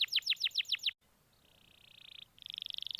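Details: Canary song played as a lure to prompt a quiet canary to sing: a rapid series of about seven loud descending chirps, then a pause and long rolling high trills repeated rapidly, growing louder.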